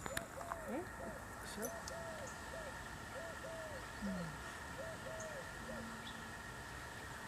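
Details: Among palm trees by the Pacific Ocean at Vesuvius Bay, on the west side of Salt Spring Island, a mourning dove gives soft, hollow, low coos about once a second. A man speaks briefly over a faint hum.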